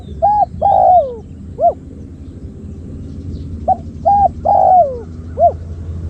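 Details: Decoy spotted dove calling to attract wild doves: two sets of cooing, each a short clipped coo, a long descending crooning note and a single short coo after, against faint low hum.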